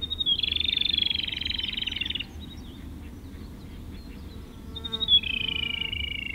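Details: Great spotted woodpecker in Korea during the breeding season, raising young. A harsh, buzzy, finely pulsed chatter holds steady for about two seconds, fades to quiet, then resumes slightly lower. Low background rumble throughout.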